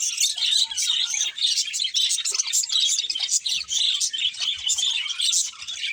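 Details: Several budgies chirping at once, an unbroken flow of high twitters, squeaks and warbles with faint low taps.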